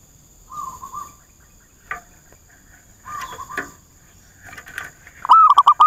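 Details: Zebra dove used as a lure bird for trapping, answering rivals: soft level coos at steady pitch, then a loud burst of quick warbling notes at the end, with a faint constant high hum behind.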